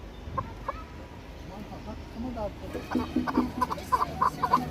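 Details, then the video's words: Chukar partridges kept for hunting and fighting: a faint, muffled start, then from about three seconds a run of short, sharp chucking notes repeated quickly with growing loudness over low background rumble. "Кабки Шикори"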